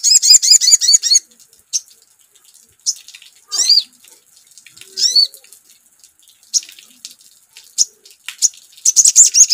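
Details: Lively sogon (crimson sunbird) song prompted by a lure call: a quick run of high hooked notes, then irregular sharp upslurred chirps and short bursts scattered across the recording.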